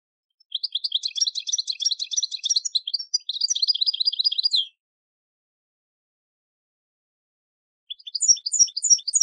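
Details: European goldfinch field song for schooling young decoy and contest birds: a long rapid twittering trill of high chirps, a silent gap, then a fresh burst of quick rising notes.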